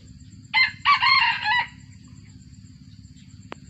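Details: A captive F1 junglefowl, descended from wild junglefowl, gives one short, clipped crow of about a second, harsh and broken into quick parts, over a steady low hum with a faint click afterward.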